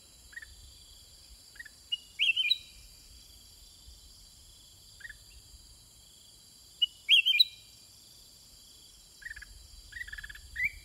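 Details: Sooty-headed bulbul answering wild birds in a long exchange: scattered short chirps and two bright, warbled phrases several seconds apart, with a constant high-pitched insect hum behind.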